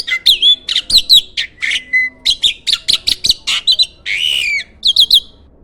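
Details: Contest-winning starling used as a master for training songbirds: a fast, jerky sequence of harsh chirps, squeaks and short whistles, with one rasping buzzy note near the end.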